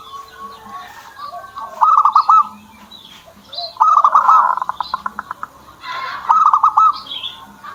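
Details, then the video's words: Kept zebra dove in song: three stuttered, bubbling coo phrases about two seconds apart, one followed by a quick run of clipped notes, amid scattered chirps of other birds. "PERKUTUT SAYA JADI MAU BUNYI"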